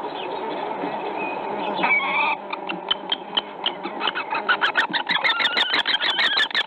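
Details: Common kestrel at its nest during nest preparation on 4 April 2019 at Théding, France: a series of sharp, high notes quickening to about three a second, over muffled scraping and rustling.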